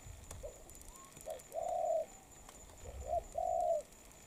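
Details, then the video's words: Moulting spotted dove giving two coo phrases, each a short note then a longer flat coo, with a faint rising whistle and soft background clicks. "Bổi Đồng Pha tốt tiếng , liền lẹ , bài khá , gù tốt"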